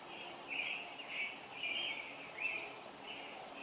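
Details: Early summer morning robin song heard around 0430, with five or six clear caroling phrases about half a second apart, each slurred and warbling, over faint ambient noise.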